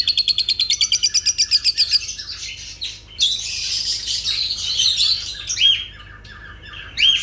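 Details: Lovebirds calling: a fast series of about fifteen sharp, evenly spaced chirps over two seconds, then dense high squawking and chattering, with a few clear upward-sweeping whistled notes near the end.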